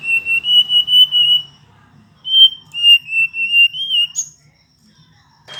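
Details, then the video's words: Singing Hill blue flycatcher giving long, steady whistled notes that waver slightly, in two drawn-out phrases ending with a sharp upward flick. "burung sikatan ninon/burung sikatan biru muda ngoceh"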